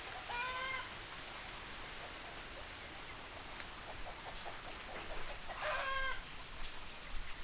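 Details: Chickens give two brief, nasal, harmonic squawks, one near the start and one near the end, separated by several seconds of steady background hiss with faint clucks.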